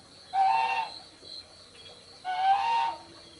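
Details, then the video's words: Young spotted dove giving two drawn-out, slightly rising tonal notes, each about half a second long with buzzy overtones, about two seconds apart; a steady high insect-like hum continues in the background. "Chim Cu Gáy Con Rất Dễ Thương"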